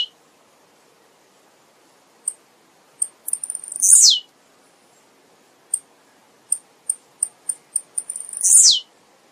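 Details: Two songs from a blue-black grassquit (tiziu), each a burst of rapid ticking that ends in a strong, hissing downslurred buzz. Spaced single high clicks fill the gap between phrases, over a faint low background hum.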